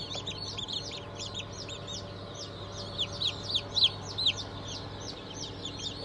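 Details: Newly hatched chicks of Cream Legbar, Sussex, Sultan and Fizan breeds, hatched on 20 June 2023: many overlapping high, short down-slurred peeps, busiest in the middle, over steady machine hum.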